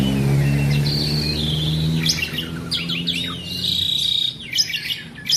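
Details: Asian pied starling singing steadily, long level whistles broken by clicking bursts, above a strong low engine-like hum.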